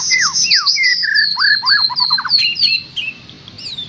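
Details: Cage-bird master song for a trocok garuda: sliding whistled notes layered in two voices, dropping and rising, then a quick run of short descending whistles, with a sharp high squawk near the end.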